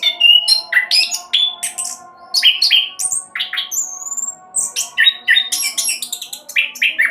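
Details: Orange-headed thrush singing its speedy roll style, meant as a lure for other birds: strings of short rich whistles and slurred notes, one long rising whistle midway, before quick chattering resumes, low hum behind.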